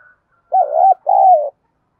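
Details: Female decoy spotted dove calling to attract males: two soft coos, a wavering coo followed by a long falling burry coo, with a faint higher tone just before.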